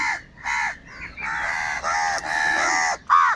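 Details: Crows fighting for food give loud, harsh, hoarse caws in quick succession: about six rasping, slightly downward-bending calls, some run together, with brief pauses between them and no other clear sounds.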